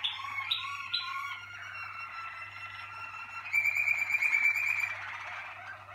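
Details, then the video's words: Caged Malinois Waterslager canary, 2019 team: a few short whistled notes lead into a sustained trill carrying a bright steady whistle, then a louder rippling, bubbling roll, steady background hum. "Malinois Waterslager equipo 2019"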